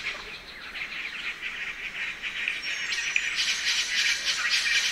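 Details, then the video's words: Spangled drongo (Dicrurus bracteatus), Nightcap rainforest, Australia: a continuous mechanical jangling series of clipped, ringing notes at a quick, fairly steady pace, swelling slightly in the last seconds over a faint high hiss. "Spangled Drongo Calls - The sounds of a Spangled Drongo calling in Australia's rainforest."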